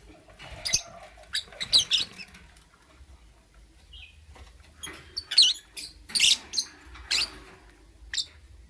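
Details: Lovebird in the morning giving clusters of harsh, high chirps, a busy flurry at first, a brief lull, then another irregular series of sharp squeaky notes; faint low hum behind.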